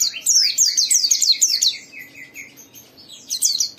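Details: White-eye pouring out a rapid series of high, downward-sweeping chirps, roughly three per second, fading to softer twitters before another loud burst at the end. Low hum in the background.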